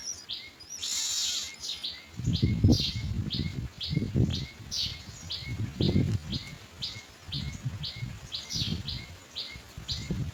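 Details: Myna nestlings waiting to be fed while adults bring white food pellets, short sharp begging notes repeated about once a second over loud low bumping and rustling noises.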